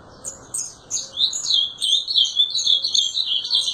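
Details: Ultramarine grosbeak song that opens with spaced high chirps, then speeds into a dense, continuous run of sweet, slurred, warbling notes.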